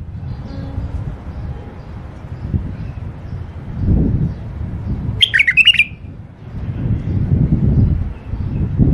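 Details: Caged tame bulbul of a male and female pair gives one short warbled phrase of quick looping whistles midway, over steady low rumbling background noise.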